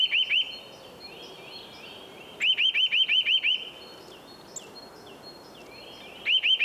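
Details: Eurasian nuthatch at nest-building time, singing short runs of rapid rising whistled notes, first three, then eight, then a few more, with thin sliding whistles in the gaps over soft outdoor noise.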